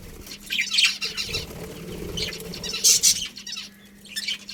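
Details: Budgerigar colony with intermittent high twittering chirps, a louder burst around three seconds, and soft wing-flapping and rustling underneath.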